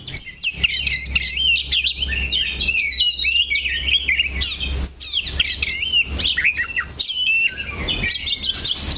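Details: Kacer (oriental magpie-robin) holding one spot on a perch delivers a rich, continuous run of high looping whistles, quick warbles and sharp chips, steady throughout, with a low hum beneath.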